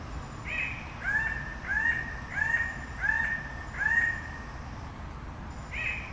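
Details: A series of about seven loud, harsh, upslurred calls from a red bird-of-paradise (Paradisaea rubra), spaced under a second apart, over a faint low background hum.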